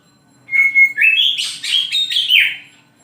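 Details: Morning singing from an oriental magpie-robin: a steady pure whistle followed by a tumbling series of rich, slurred and buzzy notes lasting about two seconds.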